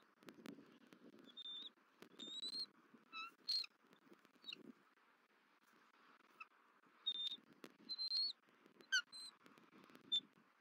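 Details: Bald eagles at a Southwest Florida nest on December 31, 2023, female returning while the male feeds the eaglet: scattered thin, high whistled chirps, brief and some rising, over low rustling and rumbling background.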